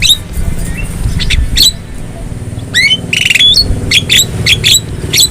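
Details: Wild Javan myna recorded in nature for training caged birds to sing: harsh squawks, rising and falling whistled notes and sharp chirps in bursts, over a steady low rumble of traffic.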